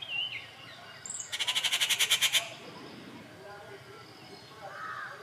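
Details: Rufous treepie rattle, Kattupadi, 19 June 2021: a brisk burst of about twelve harsh, evenly spaced pulses lasting about a second, with faint bird chirps before and after.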